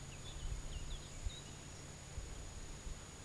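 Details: Woodlark singing in early summer on a small fallow field, a former pasture, in southern Alentejo, Portugal, about 20 metres away; a quick series of short, slurred whistled notes over the first second and a half, then quiet; steady low rumble beneath.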